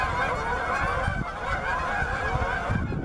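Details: Many Canada geese at Bass Ponds, Minnesota, on November 23, 2013, searching for open water; unbroken layered honking from the whole flock, with low rumbling noise beneath.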